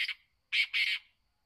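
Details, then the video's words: Black francolin, a kept bird: a harsh, grating call, one short rasping note and then two longer scratchy bursts close together, over about one second in a quiet setting. "kala teeatar ke awaz|kalateeaar|back francoline voice"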